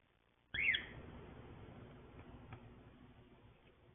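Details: A yellow-and-grey pet cockatiel gives one short, shrill, screechy call that rises and falls, then a quiet room hum fills the rest.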